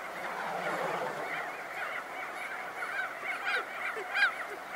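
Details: Many crested auklets emerging from burrows, heard close with their wingbeats, keep up a busy wall of overlapping honks and nasal calls, with a few sharper, higher notes standing out near the end.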